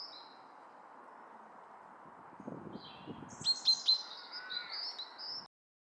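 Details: Male common chaffinch (Fringilla coelebs) calling in a park: a few sharp, high metallic notes in quick succession mixed with harsher chatter, over steady background hiss.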